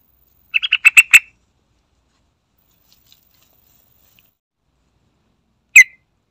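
A yellow-vented bulbul gives a quick run of six bright, chattering notes, then goes quiet before a single sharp note near the end.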